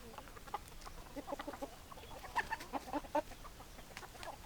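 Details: Domestic hens clucking in a farmyard chorus, several short soft clucks overlapping, busiest in the middle seconds, over a low rumbling background.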